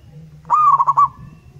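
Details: One phrase from a wild local zebra dove, used as a lure: an upswept coo running straight into four to five quick, evenly pulsed notes, then silence.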